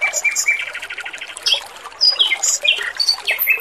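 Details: Male Oriental magpie-robin in full song for a training recording, melodious and clear: a run of quick repeated buzzy notes, then bright high whistles and sharp slurred phrases jumping between pitches, with trickling water behind.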